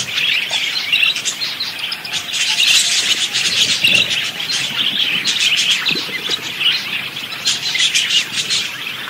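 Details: Parakeet, actively singing, in a continuous dense chatter of high warbles, squeaks and clicking ticks, with rapid notes overlapping throughout and a few lower soft sounds underneath.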